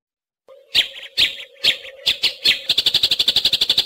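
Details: Eurasian tree sparrow in 'fighting' (tarung) style, a tutor track for green leafbirds and magpie-robins: five spaced loud chirps over a steady low hum, speeding into a quick, regular volley of high chirps.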